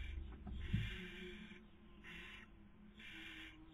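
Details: Nesting barn owls in Cabañeros National Park, Castilla-La Mancha, Spain, breeding season 2020, with the female feeding and the male attempting to sleep; a long breathy hiss followed by two shorter rasping bursts, low background hum.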